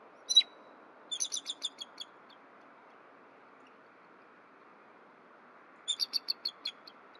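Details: At the nest in morning, a female bald eagle and her mate trade soft mewling calls before mating: a sharp squeal, then two runs of rapid high twittering notes several seconds apart over quiet background.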